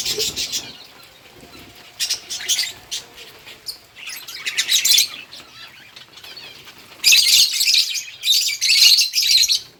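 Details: Lovebirds eating green food on August 4, 2024, giving scattered high, rasping chirps in uneven bursts, busier toward the end, with wing flutters and rustling between calls.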